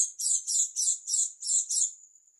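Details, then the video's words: Dakun Oriental white-eye of East Java making an unusual sound: six quick shrill buzzy notes in a steady rhythm, trailing off into a fine high whistle. "pleci dakun jatim suara aneh"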